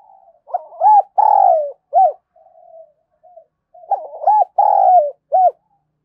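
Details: Spotted dove calling to stimulate other doves into calling; two matching phrases of arched coos, each with a quick double coo, a longer falling coo and a short final coo, repeated about every three and a half seconds.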